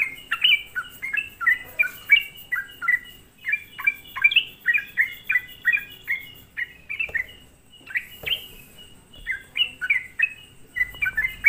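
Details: Lure song of a sooty-headed bulbul meant to provoke other bulbuls: long chattering series of quick bubbly downslurred notes, briefly pausing midway, then resuming in dense bursts.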